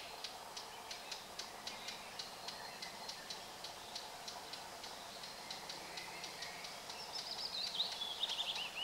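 Red-backed shrike giving dry, high ticking notes about four times a second, then a quick scratchy twittering phrase near the end.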